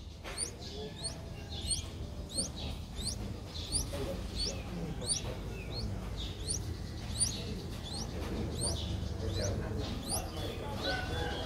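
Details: Five-day-old Streak-eared Bulbul nestling recorded in Ubon Ratchathani, Thailand, on 7 April 2023. Evenly spaced pairs of high rising squeaks repeat throughout, roughly every half second, over soft low background noise.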